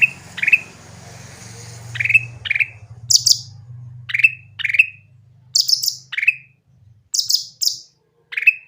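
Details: Grey-bellied bulbul singing clear, lively phrases to draw reluctant birds into song: repeated short slurred whistles alternating with paired or tripled high shrill chirps, with low rumbling background noise in the first half.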